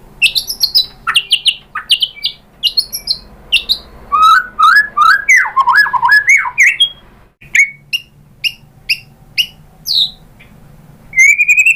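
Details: White-rumped shama song played to provoke another shama into singing, showing its filler repertoire: high chirps and whistles, a dense burst of rich, twisting warbled notes in the middle, then spaced sharp chirps and a final rising whistle.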